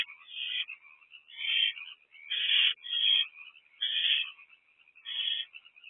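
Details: Softer, uneven hisses and squeaky chittering from three owlets in a nest box at night, some with food, rising and fading in irregular waves.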